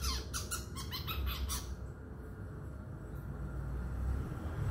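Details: Madura long-tailed shrike, a young male learning to put its song together, gives a quick run of about ten scratchy, buzzy notes in under two seconds, then falls silent over low background rumble.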